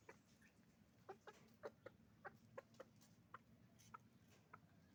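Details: Chicken farm flock of roosters and hens, heard as brief clipped clucks and squawks about every half second to second, several birds overlapping, with a low rumbling farm hum beneath.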